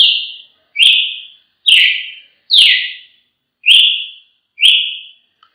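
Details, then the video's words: Repeated loud whistles from a Brazilian tanager, six down-slurred notes in under six seconds, each clean and fading at the end, against silence. "canto de Tiê sangue"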